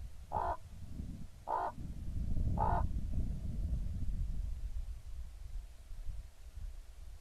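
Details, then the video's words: One of a pair of common ravens, recorded on 28 October 2016, gives three hoarse croaks spaced about a second apart, then low rumbling background noise continues. "kraukļu pāris"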